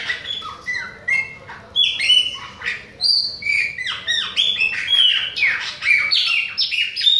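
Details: Bahian chopi blackbird singing without stopping near other birds, delivering a rapid string of varied liquid whistles, rising and falling slurs and short harsh chips in quick phrases that run continuously throughout.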